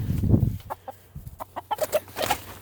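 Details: Rooster on a homestead with free-range chickens, calling while being caught by hand: a dull handling thump, then a quick series of short, harsh squawking clucks, several close together near the end.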